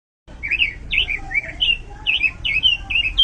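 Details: Robin, a songbird kept by bird hobbyists, singing a fast run of bright, warbled whistled notes, each note a quick rising-and-falling twist, delivered in a steady stream with faint low background hum.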